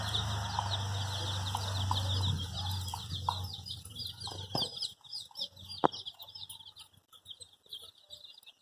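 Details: Dyed baby chicks looking for their mother keep up a shrill, continuous peeping, many small birds at once; a low hum fades after a few seconds and one sharp click stands out.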